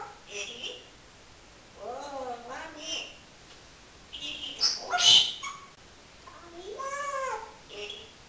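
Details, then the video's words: Talkative pet parrot speaking in wavy, sing-song voiced phrases with rising and falling pitch, interrupted by a sharp crackly burst near the middle, over low background hiss. "BEST TALKING PARROT IN THE WORLD"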